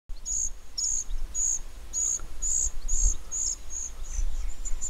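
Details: A young common cuckoo being fed by its foster mother, a meadow pipit, begs with thin, very high notes about three times a second, steady and insistent, over a low wind rumble.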